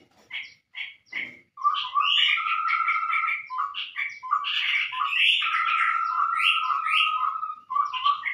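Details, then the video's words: Chestnut-rumped babbler lure call for attracting birds: three short clipped notes, then continuous chatter over two long even whistled trills. "suara pikat burung Tepus tungkir merah"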